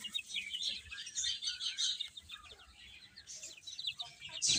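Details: Baby chicks chirping while eating and playing: many overlapping high, thin peeps in quick irregular bursts, a busy chorus with soft pecking and scuffling underneath.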